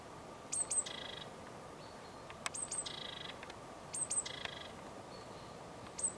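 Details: Eurasian blue tit, recorded on a Sony HDR-PJ10E camera: very high thin notes followed by a buzzy lower trill, the phrase repeating roughly every one and a half seconds over steady low background noise.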